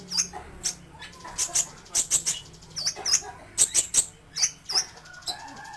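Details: Kolibri ninja sunbird song for tutoring other songbirds: rapid bursts of very high, thin chirps and short sweeping notes, clustered in quick groups separated by brief pauses, over a faint low hum.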